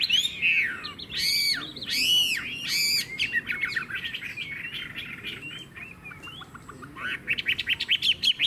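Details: Chinese hwamei kept as a cage bird in Vietnam, a strong singer, giving loud arched whistled phrases, each swooping up and down and repeated in quick triplets, then a softer falling trill and a run of rapid high chirps.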